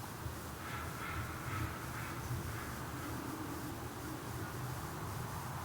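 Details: Steady low rumble of passing traffic or a train under broad hiss, with no animal calls standing out.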